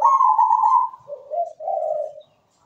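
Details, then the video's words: Single zebra dove phrase: a sustained bright higher coo falling into two lower, rolling, purring notes, sweet and clear in a quiet setting. "PERKUTUT GACOR SUARA MERDU"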